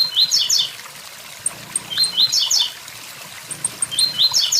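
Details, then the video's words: Blue-black grassquit at a waterfall: three quick buzzy phrases of rising notes about two seconds apart, with faint high ticks and a steady background of falling water. "Tiziu tui tui zel zel"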